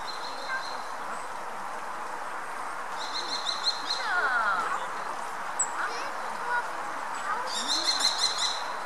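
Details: European robin resting and preening; short bursts of high, ticking notes near 3–4 seconds and again near 7.5–8.5 seconds over a steady broadband background rumble.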